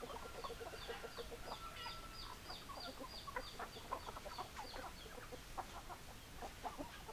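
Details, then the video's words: Chickens, hens and roosters, a flock clucking together: dense overlapping short clucks and chatter throughout, with a faint steady high tone in the background early on. "Chicken Sounds Noises Hens Clucking Roosters Crowing"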